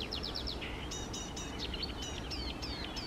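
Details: Eurasian reed warbler singing by small lakes on a lovely morning, 28 May 2024: a chattering run of short notes repeated two or three times each, first quick rising strokes, then harsher paired syllables, over a steady low rumble of background noise.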